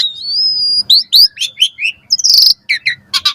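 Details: Morning song of an Asian pied starling, used to train caged birds, opening with a long steady whistle, then quick upslurred notes, chattering phrases and a dense harsh rasp.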